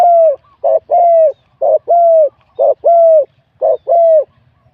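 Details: Spotted dove, wild-caught and singing in competition, delivers about four phrases in steady rhythm, roughly one per second. Each is a brief burry note and then a drawn-out, gently falling coo with a medium-to-large voice.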